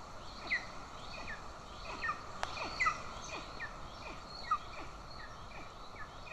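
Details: Estonian golden eagles, 20 June 2024: as the mother feeds an aggressive chick and the father brings a bird, thin, sharply falling chirps sound in an uneven series against constant low hum, with one sharp click midway.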